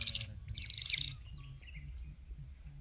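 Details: Irani Jal bird singing: two quick bright chattering bursts, the second longer and buzzier, followed by a faint thin whistle over a low background hum.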